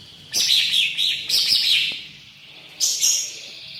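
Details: Green leafbird singing a rich song filled with imitations of other birds' calls: three loud bursts of bright, high twittering and chattering, separated by short pauses, with a quieter gap before the last burst.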